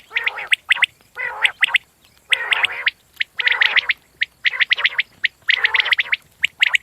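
Common quail giving harsh, raspy, gargling bursts in quick groups, each rough note lasting a fraction of a second, repeated steadily with short pauses between.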